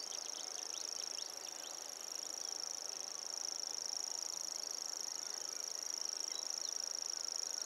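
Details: Common grasshopper warbler singing: a continuous, very high, dry insect-like reeling trill held steadily throughout, with scattered brief chirps from other birds behind it.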